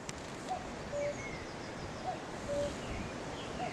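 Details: On 3 May 2018 a common cuckoo calls from a tree with horses close by. Its soft falling two-note cuckoo comes roughly every 1.5 seconds, three times, against steady outdoor background noise and faint distant bird notes.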